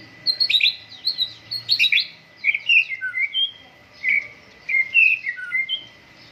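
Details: Morning dew airing of a white-rumped shama: bursts of clear whistled notes and chirps, falling slurs and short trills in phrases separated by brief pauses.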